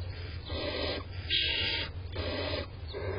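Barn owl begging: three harsh, rasping hisses, each about half a second long, repeated roughly once a second over a steady low hum.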